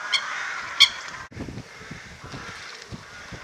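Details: Eurasian coots fighting at WWT Slimbridge, filmed from the Zeiss Hide around 12 p.m. in mid April on a misty day, handheld Panasonic SDR-S26; two loud, sharp, clipped calls in the first second, followed by quieter splashing and distant bird calls.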